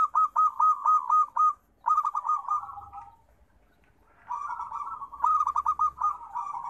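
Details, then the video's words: Zebra dove song played as therapy to encourage silent birds to sing: rapid trains of short pulsed coos with a bubbling, rolling rhythm, in bursts separated by a pause of about a second. "30 Menit Suara Terapi Perkutut - Buat yang Malas Bunyi"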